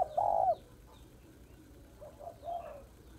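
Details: Female spotted dove calling to excite males, one loud sustained coo at the start, followed by softer, fainter cooing notes over a quiet background.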